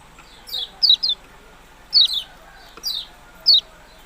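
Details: Yellow-bellied prinia producing loud, high chips that drop sharply in pitch, several in close pairs, spaced irregularly across four seconds.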